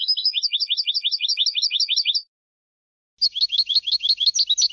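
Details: European goldfinch contest song for educating birds; a fast trill of paired high twittering notes for about two seconds, a pause, then a denser buzzy twittering phrase, clean with no background.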